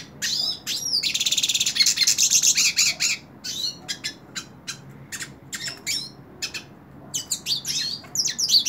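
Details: Hooded siskin sings while held in someone's hand: quick, sharp chirps, then a sustained buzzy, rattling trill, followed by irregular clipped high notes and swooping twitters.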